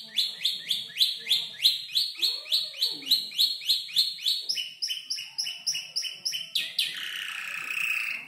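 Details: Canary around five months old imitating tutor birds such as ciblek and prenjak lumut: quick rhythmic high chirps, about three per second, ending in a long buzzy trill.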